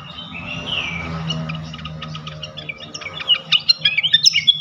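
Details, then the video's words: Flycatcher song played as a lure to set other flycatchers singing: a soft sliding whistle and scattered quiet notes, then a quickening series of sharp, high chirps and downslurred whistles near the end over low background hum. "Auto Konslet gacor ngeplong sikatan manapun sekali pancing ini."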